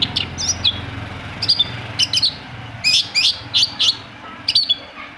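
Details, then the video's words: Long-tailed shrike song played to coax quiet shrikes into singing: a lively run of bright, high chirps and twisting whistles, in bunches of two or three, with a low hum underneath. "PANCINGAN AMPUH!!! UNTUK MEMANCING CENDET PENDIAM YANG LAGI MALAS BUNYI"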